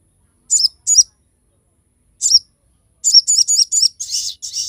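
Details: Crested jay, recorded as training and lure material for other birds, delivers sharp shot-like high chirps. Two quick notes, a pause, a single note, then a fast run of about four notes ending in harsher, buzzier phrases.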